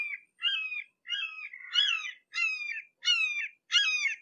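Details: Red-shouldered hawk seen up close, giving a run of seven loud, squealing kee-ah calls, each about half a second long and gently dropping in pitch, spaced roughly every 0.6 seconds against a silent background.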